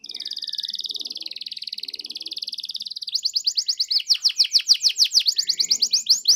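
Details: Canary belting out its song as a lure for hesitant singers: a long even buzzy trill lasting three seconds, then a fast, loud series of sweeping notes in a rolling rhythm.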